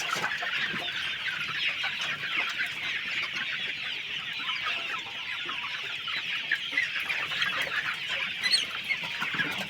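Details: Poultry farm flock of chickens producing an unbroken wash of shrill overlapping peeps and clucks from many birds, steady in loudness throughout.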